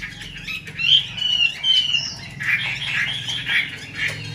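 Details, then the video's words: Female Chinese hwamei in a cage, calling 'xùy' and 'te dụ' to stir male birds; squawky rasps and short whistled slurs in irregular bursts, with a faint low hum behind. "Họa mi mái xùy tốt, Te dụ rất hay. Vực lửa cho trống"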